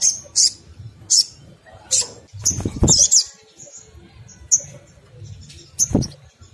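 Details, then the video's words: Crimson sunbird giving a rapid chattering 'ngriwik kemrecek' song meant to provoke other sunbirds into singing: scattered high, sharp chips and short twittered bursts separated by pauses, with several low thumps and rustling noises. "SOGON ngriwik kemrecek untuk pancingan bunyi burung SOGON lainnya"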